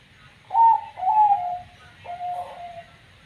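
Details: Perkutut, or zebra dove, of 'banyu mili' katuranggan, noted for an unusual voice, gives a three-part coo: two clear higher notes in quick succession, a pause, then a longer, lower, wavering note, with faint background hum.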